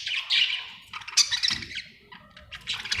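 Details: Happy budgerigar chirping: busy warbled chatter of squeaky, buzzy notes with short grating squawks, running almost without pause, with a brief low rumble in the middle.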